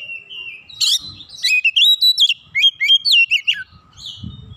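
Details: Oriental magpie-robin, fired up and in full song with beak open: a steady whistle leading into a fast, varied run of rising and falling whistled notes, with a little low rustling.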